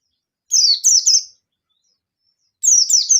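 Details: Oriental white-eye of the local yellow-throated type, wild and agitated, summoning a rival: two groups of three thin, high downslurred chirps given in quick succession, separated by a pause of over a second.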